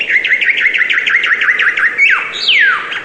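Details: Rapid series of bright chirps sliding downward in pitch, followed by two long whistled notes that sweep steeply from high to low.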